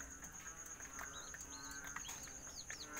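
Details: Caged chicks of the serama, rosecomb and Siamese breeds at night give scattered high peeps and a few wavering, warbling cheeps in the second half, over a constant shrill whine.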